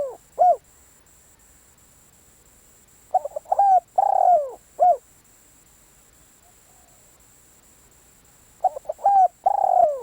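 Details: A spotted dove used as a decoy coos in rhythmic phrases. Brief soft notes lead into a long, rough, falling coo. Each phrase ends with a short clear note, and there are long silences between phrases.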